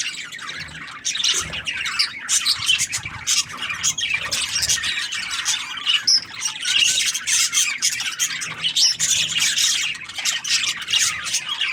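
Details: Steady, high, scratchy twitter from several budgerigars, with overlapping quick chirps and harsh squawks that grow busier and louder after the first second.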